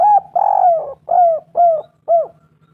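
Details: Spotted dove song used as a lure to get doves calling: five soft, low cooing notes, the first short, then a long drawn coo and three shorter falling coos in quick succession, over a steady low hum.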